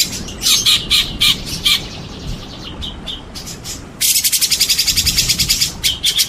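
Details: White-rumped shama singing with rain sounds: scattered bright chips, then a sudden loud, rapidly pulsing chatter of repeated notes from midway on. A constant soft hiss and low rumble of rain runs beneath.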